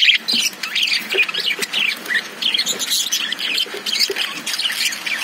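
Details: Caged lovebirds chirp in a busy, overlapping chatter of sharp, high squeaks and twitters that run on with no pause.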